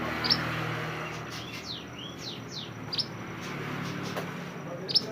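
Oriental magpie-robin sings a run of clear, downslurred whistles between sharp, high chips that sound about every two seconds, over a steady background hiss.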